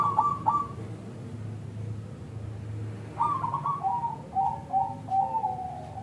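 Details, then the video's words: Local zebra dove singing as a lure for other zebra doves: one short bubbly phrase at the start, a quiet gap with low rumble, then a run of softer, falling coo notes. "Perkutut Lokal Gacor SUARA Kristal TEBAL Jitu AHLINYA UNTUK pancingan perkutut NYAUT"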